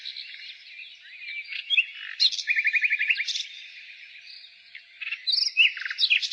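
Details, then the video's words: A nightingale's spring song: soft warbling gives way to a fast string of about ten identical rising notes, then a pause and loud sharp chirping phrases, over continuous high background birdsong. "Nightingale singing"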